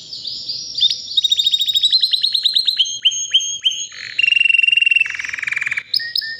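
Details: White canary, around three years old and healthy, delivering a powerful song: descending rapid chip series, clear sustained whistles, then a loud lower buzzing trill and a high closing flourish.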